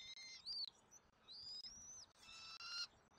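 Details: Southwest Florida bald eagle nest while an eaglet gets its dinner on 13 January 2024. Thin, high whistled notes sliding up and down, then a harsher harmonic squeal, over a steady background hiss.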